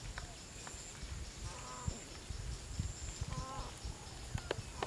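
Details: Green peafowl gathering in late afternoon in Chun district, Phayao province, Thailand, with about seventy counted: two separate honking, harmonic-rich calls roughly two seconds apart, set against a constant shrill insect buzz and rumbling wind.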